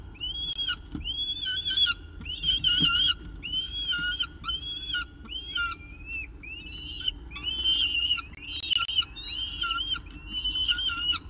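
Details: With a pigeon breakfast at its Orange nest on 24 October 2018, a peregrine falcon gives a steady series of short upslurred squealing calls, roughly one per second, over low rumble.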